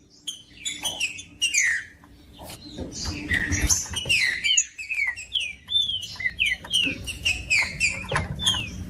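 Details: Caged green-winged saltator, kept by tournament breeders, singing long runs of loud slurred whistles, many downward-sliding notes in quick series, with a faint low hum and a few clicks beneath.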